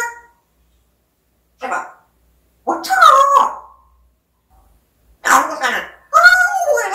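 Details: Talking African grey parrot producing separate bursts of speech-like sounds, some rough and bark-like, others voiced with sliding pitch, separated by silent gaps.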